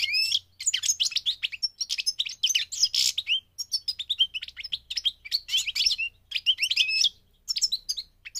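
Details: Long, lively passage of song from a migrating goldfinch: rapid, sparkling high twitters and slurred notes pour out almost without break, with one short gap near the end.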